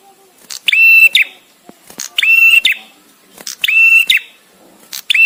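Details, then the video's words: Bar-winged prinia, a visiting male, gives three full and one partial strident, nasal phrases, each a steady buzzing note framed by quick chips, spaced about one and a half seconds apart. "suara prenjak tamu JANTAN!!! dengan jeda cocok untuk masteran"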